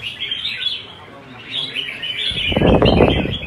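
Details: Competition singing from a Red-whiskered bulbul in Vietnam: rapid bursts of clear, jumbled warbling notes over music, then loud broadband thumping and rustling takes over in the last second.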